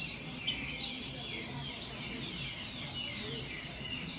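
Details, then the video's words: Saffron finch singing in a song competition show: rapid, high chirped and sweeping notes, sharp and twittering, run together in a dense, continuous stream with a few louder accented notes near the start. "canario da terra Top Show"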